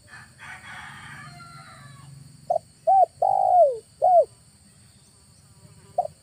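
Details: Spotted dove lure call used in August for bird trapping, recorded in the late afternoon in a village: a short cooing phrase of clipped hoots with one longer drawn, falling coo, after a brief rustling noise.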